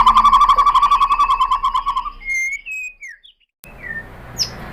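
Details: White-rumped shama song used as a lure to rouse other shamas into singing and showing their fill material. A fast even run of pulsed notes, about four per second, gives way to a few sliding whistles and a brief silence.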